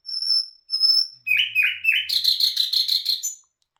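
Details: Nightingale song: two long pure whistles, then three rising swooping notes and a fast, loud pulsing trill that ends abruptly.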